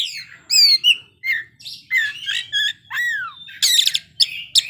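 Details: Kacer (Oriental magpie-robin) showing its isian in song: ringing whistled notes, a deep downward slur, then a loud harsh rattling burst and quick chirps, over a faint low hum.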